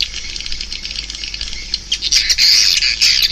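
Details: High swiftlet chatter that starts soft and scattered, then swells after two seconds into loud, rapid, rasping chirps packed closely together.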